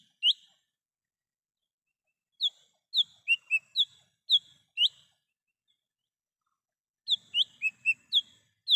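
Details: Wild lesser green leafbird song for luring birds: a lone note, then runs of quick, sharp whistles, rising and falling, in two phrases of about six notes each.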